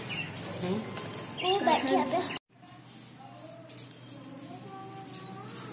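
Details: Caged budgerigars, with some new chicks, chatter with quick, scratchy chirps and warbles over a low steady hum.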